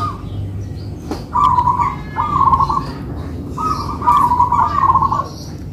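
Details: Two local-type zebra doves in a duet bout: rhythmic mid-pitched cooing phrases in bursts of about a second, several run together, over steady low rumbling background noise.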